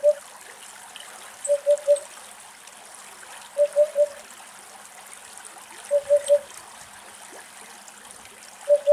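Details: Eurasian hoopoe (Upupa epops) in Greece gives soft, low, hollow triple hoots, oop-oop-oop, each group about two seconds apart, over a steady trickle of running water.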